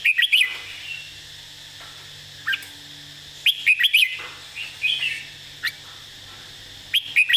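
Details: Red-whiskered bulbul singing an easy model song phrase used to teach other birds: short bursts of bright, warbled whistled notes, a quick run of three or four at the start, then scattered single notes and another fast cluster near the end.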